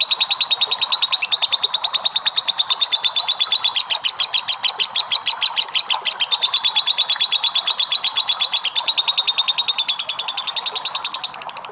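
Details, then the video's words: Lovebird giving a long ngekek song used for song training: a fast rattling chatter of sharp, high chirps at about three per second, held for the whole stretch, with brief shifts in pitch and texture between runs. "PANCINGAN LOVE BIRD NGEKEK PANJANG !!"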